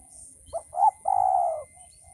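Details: One full phrase from a male spotted dove, used as a training call: a short soft note, a stronger rising note, then a long, level, throaty coo lasting about half a second. A steady high whine sits in the background.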